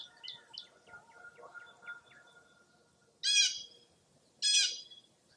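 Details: Birds heard at dawn in April fog at Mirror Lake State Park, Baraboo, Wisconsin: faint, thin chirps come first, then two loud, harsh, buzzy bursts about a second apart.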